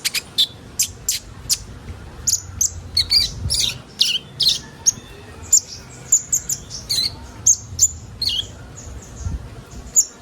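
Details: High-pitched song of the kolibri ninja sunbird, used to bring young birds into song: scattered sharp chips and short squeaky phrases, dense at first and then spacing out, with faint low background noise.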